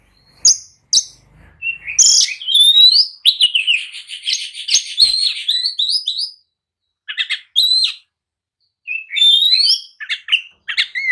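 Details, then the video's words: An oriental magpie-robin in an agitated, fight-provoking mood sings a dense, varied stream of whistles, rattles and buzzy trills, with quiet gaps before scattered bursts of high notes. "kicau kacer gacor emosi! jadikan kacer loyo langsung nyaut dan tarung emosi"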